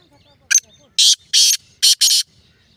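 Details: Black francolin call: one brief clipped note, then four harsh, rasping bursts delivered rapidly, the final pair nearly joined, with faint background chirps.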